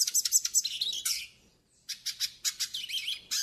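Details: Yellow-faced siskin song meant to teach and stimulate captive birds: rapid bright chirps and buzzy trilled notes in quick bursts, a brief pause, then more clustered high twitters.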